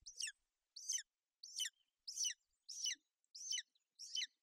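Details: Bucovina golden eagle nest, 28 May 2021, with the female brooding her chick in poor weather. Seven high, harsh, downslurred chirps follow in a steady rhythm, roughly every 0.65 seconds.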